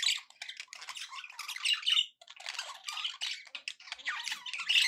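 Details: Contented pet budgerigars give continuous rasping, warbling chatter mixed with thin whistled squeaks, scarcely pausing.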